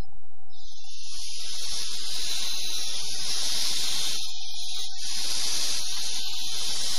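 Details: Barn owl at a nest box, recorded by an automatic camera placed close to the box on 13 September 2015; loud harsh rasping hisses, long and breathy, in repeated drawn-out bursts with brief gaps.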